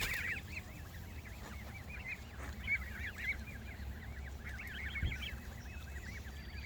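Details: Social Canada geese at a lakeside produce overlapping runs of nasal, up-and-down honks in two main bursts separated by a short lull, set against a low, steady rumble.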